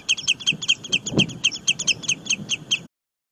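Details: Quick repeated high-pitched chirps from a singing bird, crisp double notes in a lively string that stops abruptly near the end, over faint low rumbling.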